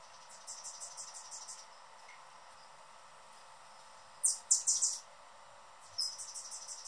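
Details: Male Anna's hummingbird noisily guarding the perch at his favourite feeder: a quick run of thin, high chips, a short pause, then a louder burst of sharp squeaky chips and a final single chip.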